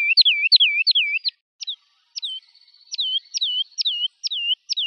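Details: A woodlark sings quick, fluid falling slurs in a fast burst, pauses, then resumes with spaced, hooked notes that descend at the end. Silent surroundings.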